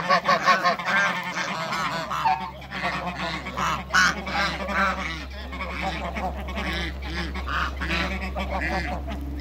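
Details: Domestic African and Toulouse geese kept in a backyard among other waterbirds, giving rapid, uneven, overlapping honks and shorter quacky notes, over a constant low hum.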